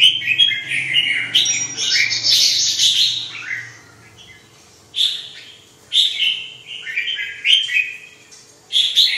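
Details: Red-whiskered bulbul singing loud, clear warbled phrases that rise and fall in a dense burst over the first four seconds, then shorter bright phrases about every one and a half seconds, over a faint low hum.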